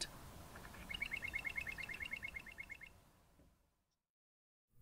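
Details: A South African Bokmakierie pair, the larger male on the left, sings its own version of a territorial, pair-bonding duet: a quick run of ringing whistled notes, about three per second for two seconds, over a low rumble.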